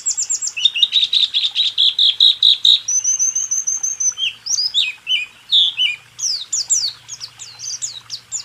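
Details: White-eye song recorded for training caged birds: rapid repeated chattering notes, a sustained high trilled whistle, then varied sweeping phrases and quick high flourishes, with a low hum underneath.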